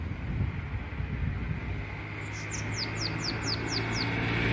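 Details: Belga-style Bananaquit song: after a pause, a rapid string of about eight thin, very high notes, each sliding downward, delivered evenly against a low background hum.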